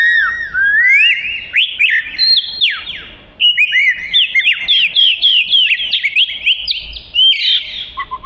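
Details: Oriental magpie-robin, a black-and-white songbird: a long, energetic stream of rising whistles and rapid slurred chirps, fast and varied, loud and close, ending on a few lower notes.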